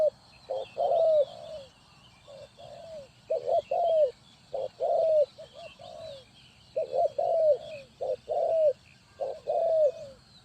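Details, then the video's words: Spotted dove from Ninh Thuận, Vietnam, used as a decoy for bird trapping, giving low, hollow cooing phrases of two or three notes, the last one longer and falling, repeated steadily, with faint high chirps of other birds behind. "Cu gáy Ninh Thuận"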